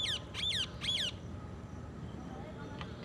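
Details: Green ringneck parrot giving three harsh, arched screeches in quick succession, about one every half second, then falling quiet against a steady low rumbling background.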